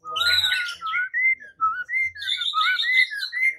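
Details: White-rumped shama singing, as used to provoke singing and fighting: rich, dense whistled phrases at first, then clear sliding whistles and overlapping higher warbles, nearly continuous, with a low hum early on.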